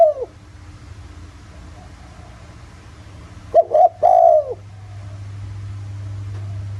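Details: Spotted dove coo used as a lure to make other doves call, in the 'giọng thổ' voice: the tail of one phrase, a long quiet stretch, then a clear two-part hooting coo, with a steady low hum throughout.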